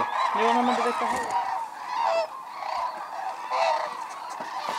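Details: Cranes, Hooded and White-naped, at Arasaki Crane Center in Kyushu, Japan, during snowfall; a few loud trumpeting bugles ring out in bursts over the steady background roar of a huge wintering flock.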